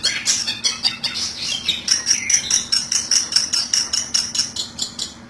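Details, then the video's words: Long-tailed shrike lure call: harsh high chirps at first, then a steady series of sharp notes repeated about twice a second over a thin twittering background. "pikat burung cendet ampuh satu menit langsung dapat"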